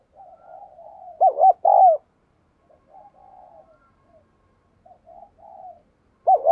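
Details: Spotted dove used as a lure to excite males. Two loud arched coos come after quiet murmured notes, then more soft low murmurs, and a loud coo starts again at the end.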